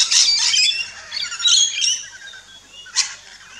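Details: Rainbow lorikeets feeding in an Australian backyard: a few sharp, shrill squawks and chirps at the start, quieter chatter after, and one abrupt screech near the end.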